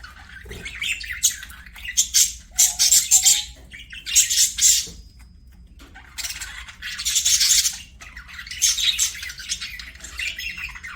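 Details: Budgerigars singing while playing: bursts of dense, high chirping and chattering warbles come in clusters of about a second, separated by short quieter pauses, with a few softer whistled notes between bursts.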